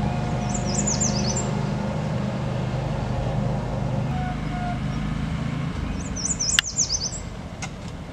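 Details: In spring, an American Yellow Warbler sings two quick, high, sweet phrases of slurred notes several seconds apart, over a steady low rumble of traffic.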